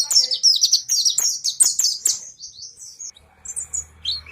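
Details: Kept pleci monty in East Lampung resuming its lively song: a burst of rapid, piercing high chirps that slows and fades after three seconds, leaving a low hum and a few scattered notes.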